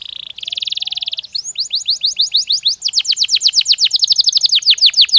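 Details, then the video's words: Natural canary song meant to ready birds for the mating season: a fast buzzy trill, then a long run of quick, clear descending whistled notes repeated about three times a second. "تغريد كناري طبيعي يساعد على تهيئة الطيور نفسيًا للدخول في موسم التزاوج"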